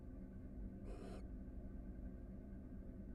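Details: Barn owl at a Florida nest box, one of a pair readying a second brood, recorded on a live camera: a single harsh, breathy screech lasting under half a second over a loud steady hum.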